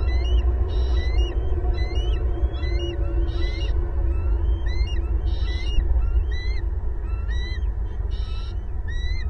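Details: Bald eagle family of two adults and two young calling loudly together at a big nest in a pasture tree, Southwest Florida, April 2022 nest cam: repeated high piping, chittering notes with rising and falling whistles in steady bursts over low rumbling background.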